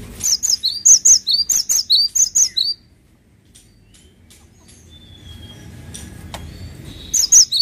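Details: Energetic cinereous tit song: a run of bright, high two-note phrases repeated rapidly for under three seconds, then a quiet gap with thin distant tones before the phrase returns briefly at the end.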